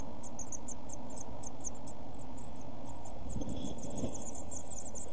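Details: One-week-old Eurasian blue tit chicks inside a camera nest box, 5–7 June: a rapid string of thin, very high chirps running throughout, over a steady low rumble inside the box.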